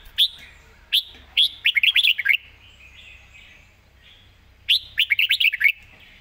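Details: Red-whiskered bulbul delivering rapid 'pak wai' style song: a few single sharp notes lead into quick rolling phrases of warbled whistles, then another fast phrase after a brief silence.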